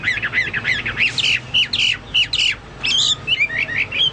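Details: Chinese hwamei in lively song, compared to cucak Papua or cucak mas. Rough, buzzy notes are repeated about twice a second, mixed with short slurred whistles.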